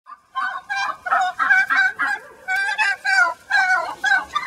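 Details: Angry laying hen in a pen, upset after being returned to the flock that nearly killed her, calling loudly: harsh honking, turkey-like squawks in rapid bursts of about half a second with short gaps.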